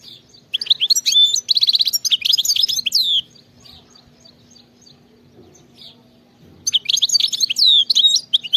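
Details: Field-style song from a wild European goldfinch: two dense bursts of bright twittering with rapid chips, sweeping whistles and a buzzy trill, separated by a few seconds of near silence with a faint steady hum.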